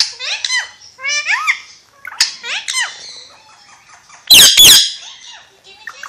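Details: Talking Alexandrine parakeet, called Pakistani ringneck parrot, utters rhythmic rising, speech-like syllables in short groups, a sharp click, a soft murmured stretch, then two harsh loud screeches.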